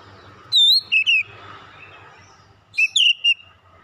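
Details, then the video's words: Oriental magpie-robin lure sound used to rouse other birds into song: two short clusters of bright, looping whistles over a low background hum. "PANCINGAN KACER LANGSUNG PANAS BONGKAR ISIAN"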